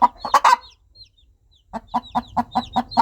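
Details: Mother hen calling her baby chicks: a quick burst of low clucks, a pause, then steady soft clucks about five per second, with faint high peeping chicks between.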